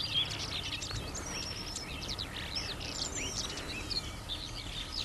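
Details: Cheerful skylarks singing a rapid, continuous high twittering of buzzy chirps and trills, with a low rumble of human traffic noise underneath.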